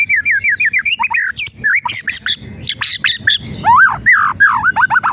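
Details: White-rumped shama song played to rouse a quiet bird into singing: a rapid run of looping whistled notes, then harsh crackling rattles and sharp chips, ending in loud swooping whistles.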